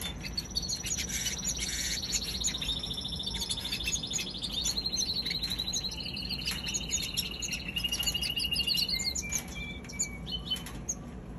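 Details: Baby canary singing a continuous high warbling stream of rapid trilled notes and thin sliding whistles, with a low steady hum underneath.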